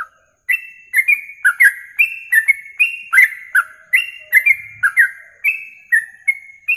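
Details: Yellow-vented bulbul singing in a masteran recording for songbird contests, played for morning and evening tests. A lively, unbroken run of rapid chirped notes with short held whistles, rising and falling slightly, goes on for nearly seven seconds.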